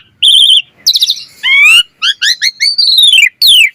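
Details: Asian pied starling singing full song for training other starlings: a steady whistle, buzzy trills and a run of rising whistled notes ending in a long descending slur.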